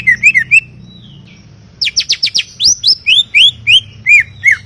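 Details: Greater green leafbird, described as chattering, in a garden: a few wavering whistles, then rapid steep upsweeping notes, followed by evenly spaced rising-and-falling whistled phrases.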